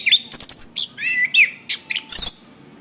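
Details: Orange-headed thrush, master recording for training cage birds: high, squeaky chirps and short buzzy whistles delivered in a quick, varied jumble.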